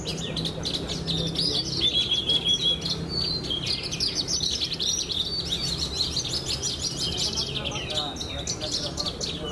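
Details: Pied ('blorok') Javan bush lark kept as a competition bird, a winner of best of the best at Brenjes Mania, singing a dense, continuous run of high, rapid chirps and trills over a low steady hum.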